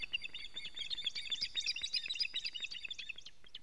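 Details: Osprey alarm calling at a nest on a Latvian live camera, 19 July 2017 at 19:43, as the male brings a living fish: rapid, sharp, high whistled notes repeated almost four times a second, in a nearly continuous chattering series.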